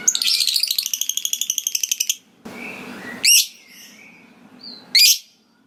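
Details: Lovebird ngekek chatter, the style said to prompt other lovebirds to join in: a two-second run of rapid, high, harsh repeated notes, then a rustling noise and a few isolated sharp chirps with short whistles in a quiet room.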